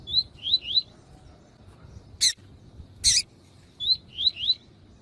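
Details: Tui tui style double-collared seedeater tutor song, a male with a calling female, played to stimulate males. A rising whistled three-note phrase opens and closes the recording, with two loud sharp bursts between.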